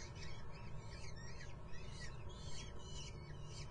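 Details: Young common kestrels at a nest in Muttenz: harsh, downward-sliding rasping squeals, several in quick succession and partly overlapping, over a constant deep background hum.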